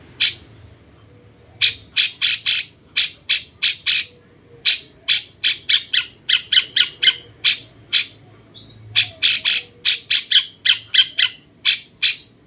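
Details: Cucak cungkok bulbul used as tutor song for competition songbirds, pouring out long runs of rasping, chattering squawks in uneven bursts, some notes doubled or tripled, with a faint thin high whistle running behind.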